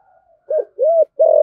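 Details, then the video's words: Luring call from a thổ-voiced spotted dove: a faint low opening note followed by three loud, hollow, rounded coos, the last one long and sustained; clean, close and low-pitched. "cu gáy giọng thổ, cu gay giong tho cuc dinh gay gọi"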